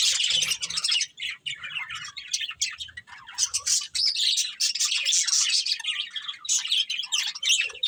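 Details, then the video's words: Breeding pair of budgerigars chattering steadily: fast, scratchy warbles mixed with high chirps and squeaks, continuous for the whole stretch with only short breaks. "Cute Budgies Chirping Sounds | Love Birds Breeding Pair"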